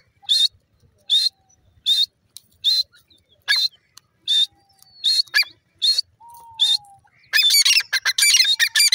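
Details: Grey francolin calling: shrill, harsh notes repeated roughly every second for several seconds, ending in a dense burst of scratchy, crowded notes; a thin drawn whistle sounds faintly in the background.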